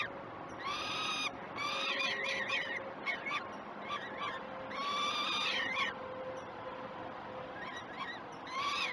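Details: Morning feeding of peregrine falcons at Great Spirit Bluff nest cam, 21 June 2018; mixed harsh screams and quick broken chattering notes, calling irregular with a faint low hum beneath.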